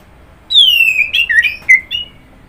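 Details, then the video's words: Orange-headed thrush singing a flowing phrase: a long falling whistle, then a jumble of short warbled and slurred notes varying in pitch. "Kicauan Burung Anis Merah"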